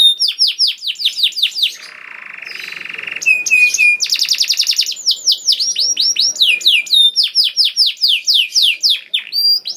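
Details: Energetic canary song used to make other canaries sing: quick series of falling whistled notes, a low buzzy roll, a fast chopping trill and more rapid descending chirps.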